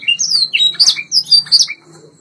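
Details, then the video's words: White Yorkshire canary training song: a brief run of sharp whistled notes and slurred chirps in quick pulses, over a faint low hum, fading out near the end. "White Yorkshire Canary Singing TRAINING CD vol. 2"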